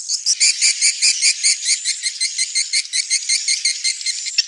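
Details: Swiftlet giving a fast run of sharp, bright chirps, about two or three each second, in a steady stuttering pulse over a thin high hiss.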